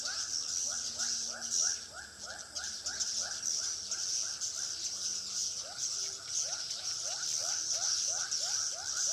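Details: Swiftlet lure call from a three-storey swiftlet house in Pekanbaru: a long run of brief rising chirps at about two per second, backed by constant high-pitched twittering.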